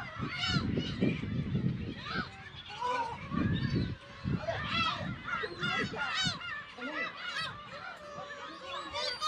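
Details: Black-tailed gull colony on Kabushima island, Hachinohe, Aomori Prefecture, Japan, in early summer (10 June 2020), with chicks in the colony; GoPro HERO8 recording. Loud, harsh mewing cries overlap in a crowded chorus, with low thumps of wind or handling noise.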